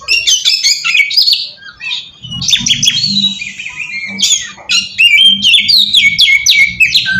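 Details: Magpie-robin lure song meant to provoke replies from wild birds: scratchy, fast chattering phrases mixed with high whistles and rising slurs, over a soft low hum in the middle section.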